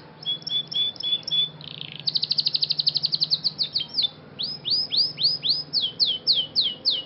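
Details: Canary of the Scotch Fancy breed in a training song, opening with short flat whistled notes, then a rapid even trill of rattling notes, followed by a string of loud downward-swept slurred whistles repeated about twice a second; low steady hum in background.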